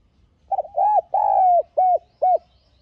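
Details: Decoy spotted dove cooing in the calling and urging style used to excite wild birds: a choppy opening pair, one long smooth coo, then two clipped rounded notes, in a quiet background.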